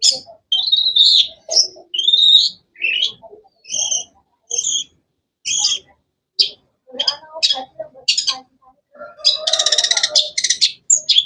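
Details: Long-tailed shrike, locally cendet, delivering a long run of short, sharp, high chirps with paired notes, broken by brief pauses, ending in a rapid rattling buzz.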